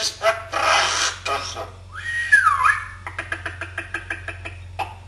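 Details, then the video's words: Talking pet common hill myna, Afrikaans words; rough speech-like phrases, then a clear whistle that rises and dips, followed by a rapid series of sharp clicks. "the Talking Mynah - Afrikaans"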